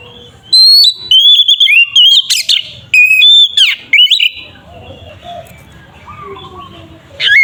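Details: Oriental magpie-robin in fighting-style lure song meant to rouse another bird: loud sequence of whistled slurs and harsh noisy bursts for about four seconds, followed by quiet soft warbling and a final sliding whistle.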